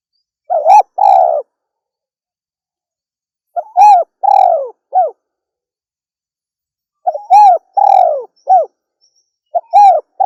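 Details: Spotted dove, a female, calling in clear, low, mellow coos: grouped phrases of short notes around a drawn-out falling coo, spaced three to four seconds apart in silence.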